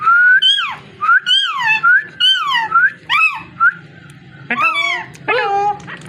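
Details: A run of about six rising-then-falling arched calls from a parrot, nearly one per second, followed by a pause and two harsher, more complex calls.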